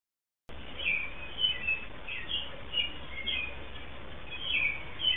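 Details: In Southern Ontario, Canada, a nearby American robin sings and calls as a female returns to her nest and listens; brief clear-toned phrases repeat roughly every half second over a low, constant background rumble.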